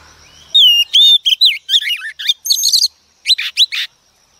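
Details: A wild-caught female Oriental magpie-robin sings to provoke male birds. A brisk medley of high whistles, rapid twisting slurs and chattering notes runs for over two seconds, pauses, then ends with a few trilled phrases.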